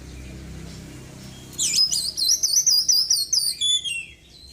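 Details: A caged Oriental magpie-robin with a white breast, freshly moulted, bursts in after quiet background hum with a quick series of high, clipped whistles and slurred chirps copied from small birds, around three notes per second.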